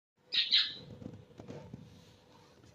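A cockatiel gives a brief, bright burst of high whistled chirps, then falls quiet.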